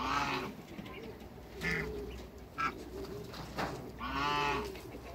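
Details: A group of six African and Toulouse geese being met for the first time: a loud harsh honk opens, brief calls follow mid-way, and a long nasal honk closes, with low cooing behind.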